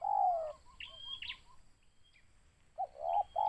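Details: Spotted dove targeted for luring, giving a low hoarse coo phrase at the start and again at the end, with soft short chirping notes and a thin high whistle from other birds in the quiet gap between.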